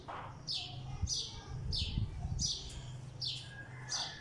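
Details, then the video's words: Sparrow sitting on a wall, giving short bright downward chirps about every 0.7 seconds in an even series, with a low steady hum underneath. "Sparrow Chirping Sounds"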